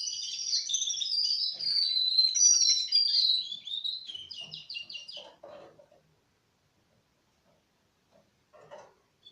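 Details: Four-month-old Russian canaries sing a whistled warbling phrase into a quick pulsed trill, then fall silent apart from a few soft clicks.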